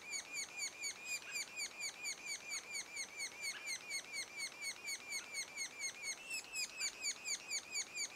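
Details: Sapsucker nest two days before the first fledge, with the young giving a regular, rhythmic chain of high slurred calls, around two per second, over a faint noisy background.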